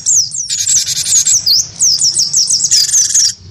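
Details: Cinereous tit of the wingko type, singing actively in a fighting style while provoked by a white-eye: fast runs of high whistled, hooked notes, broken by harsh buzzy bursts.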